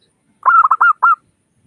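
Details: Local Zebra dove used as a lure to prompt other doves to call: a quick series of five clear, fluttering cooing notes, the first ones rapid, the last two longer and even, in a quiet setting.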